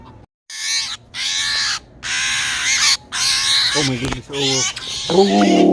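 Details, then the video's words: Rescued young Steller's jay that fell from its nest, angry, repeating long rasping, harsh screeches in a series of about six bursts, with a human voice speaking near the end. "Angry bird. Steller's Jay Rescue"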